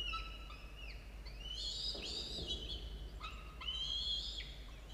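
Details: Falcon nest with two chicks, 17 and 13 days old, filmed by a camera at dawn on 27 October 2022: harsh, drawn-out wailing calls with bending harmonic pitch, in overlapping bursts with short gaps, over a constant low electrical hum.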